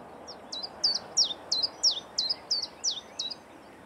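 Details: Singing Common chiffchaff delivers around ten high notes in steady rhythm, each a sharp downward slide, about three per second for over three seconds. The background is quiet.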